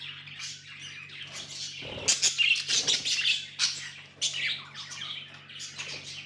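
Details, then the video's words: Tamed budgerigars chirping: busy high twittering, louder sharp chirps in the middle stretch, with a faint knocking sound and steady background hum. "Budgies amazing love & chirping sounds"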